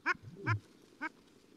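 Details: Male Long-tailed Duck, a deep-diving seabird often heard before it is seen, in the Oak and Cadboro Bays islands area in winter, giving three short, nasal, yodelling notes about half a second apart over a low background murmur.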